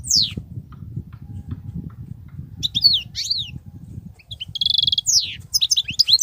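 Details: Wild European goldfinch in nonstop song with 'betbetat' phrases: a descending whistle, then scattered twisting high notes, a buzzy nasal rattle and a final twittering flurry, over low rumbling noise.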